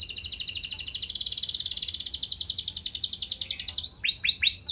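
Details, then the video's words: Canary singing to draw responses from other canaries: a long, steady rolling trill of high repeated notes, rising slightly in pitch midway, then closing with loud, looping downslurred whistles. "Burung Kenari gacor Nembak mantap! Buat Kenar Lain Bakal Langsung Respon Ikut Gacor Panjang"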